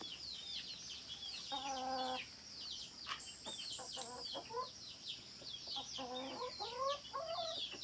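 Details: Hen calling amid a busy background: short stacked nasal clucks and a drawn-out harmonic call around two seconds and again near six, over a constant chorus of small high-pitched chirping birds.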